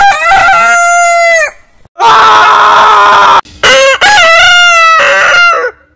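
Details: Roosters giving long crows: three drawn-out, strongly ringing cock-a-doodle-doos. Each holds a steady pitch before dropping at the end. Brief silences separate them.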